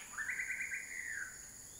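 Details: Common flameback (Dinopium javanense) in Huai Kha Khaeng Wildlife Sanctuary, Thailand, gives a rapid, dry rattling trill of about a second that drops slightly at the end, over a steady high insect hum.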